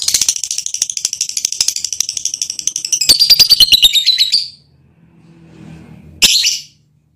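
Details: Lovebird mating call affecting a male partner: a rapid, continuous stream of high chattering twitters for about four seconds, ending in a descending whistled trill, then a pause and a single harsh squawk.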